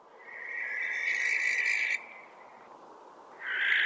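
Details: Barn owl rasping screech lasting about two seconds, followed by a pause and the start of another, over a steady low background hiss.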